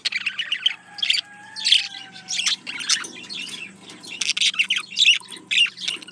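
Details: Male parakeet courting a female with rapid scratchy chatter and clicking notes in short bursts, mixed with squeaky chirps; a faint thin tone slides downward in the background early on.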